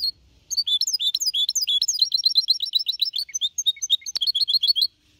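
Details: Goldfinch hybrid (mixto), four and a half months old, singing clean in the Copia Málaga style in 2021, used to motivate other birds; rapid high bright twittering phrases of repeated chirps and trills, one sharp click near the end.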